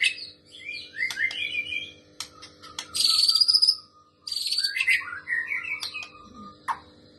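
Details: White-rumped shama of the Trotol type mixing female prinia imitation into its song: varied slurred whistles, a long high buzzy trill and rapid twittering phrases, over a faint hum.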